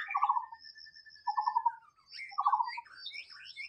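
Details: Free-living white-rumped shama: three low buzzy pulsed notes about a second apart, linked by a long thin whistle, ending in quick swooping notes over a faint high ticking.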